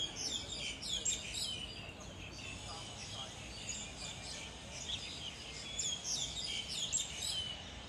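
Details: A Black-collared Starling, singing while feeding, gives a jumble of harsh, chattering and whistled notes, high-pitched and irregular, with a steady background hiss and faint voices.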